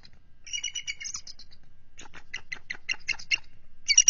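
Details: Wild bald eagles defending their nest and egg against an intruding mature adult eagle in February 2023: a brief high piping phrase, then a rapid series of about a dozen shrill, evenly spaced chattering notes.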